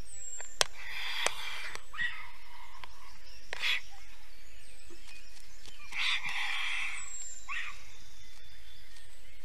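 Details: Estonian black stork at 5:48 am on 4 June 2021, alarmed at an enemy, most likely a bird of prey, gives hoarse, hissing bursts about every two to three seconds with a few sharp clicks over faint rural background noise.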